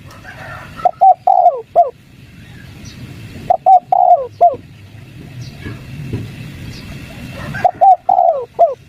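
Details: Spotted dove calling, a recording used to lure wild doves into answering; three-part phrases of hoarse cooing notes around 700, with a short lead note and a drawn-out descending coo, repeated about every three seconds over low rural background noise.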